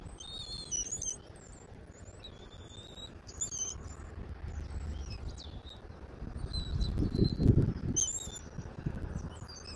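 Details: Bald eagle filmed by a Southwest Florida eagle camera on 10.02.2024 at 14:02: scattered high, piping chips and short whistles in quick irregular clusters, some sharply bent, with soft low wind rumble swelling toward the end.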